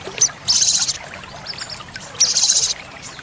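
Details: Olive-backed sunbird song used to train caged birds: two loud high buzzy trills, each about half a second long, separated by a pause, with a few thin chips between them and steady background hiss.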